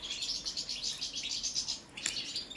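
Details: Song check of a Balkan European goldfinch, balcanica: rapid series of bright, pulsing chirps in a steady rhythm, broken by a sharp buzzy burst, then resuming with quick high notes.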